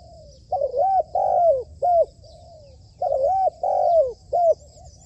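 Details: Trained decoy spotted dove on a rooftop, used for dove trapping, cooing in two matching phrases a few seconds apart, each a doubled hoot, a long falling coo and a short final note.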